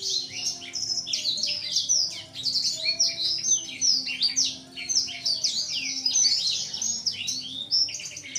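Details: Young caged male blacksang, aged seven months, immature voice, wing-spreading display on seeing a female; continuous dense high twittering song of rapid chirps and slurred whistles, barely pausing, low hum in background.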